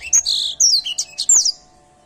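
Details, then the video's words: Grey singing finch (edelsanger) singing vigorously: a short burst of high, clear whistled and slurred notes, some sweeping down, ending after about one and a half seconds, with a faint steady hum behind. "Edel sanger gacor"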